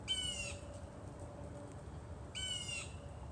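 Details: Blue jay imitating a hawk, recorded 28 October 2020: two harsh, screechy, slightly descending screams, each about half a second long and roughly two seconds apart, over a low steady background rumble.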